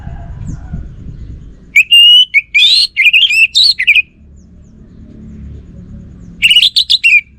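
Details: Caged orange-headed thrush in full, continuous song: loud, varied phrases of slurred whistles and rapid chirps, rising and falling, delivered in two bursts separated by a few seconds of low room noise.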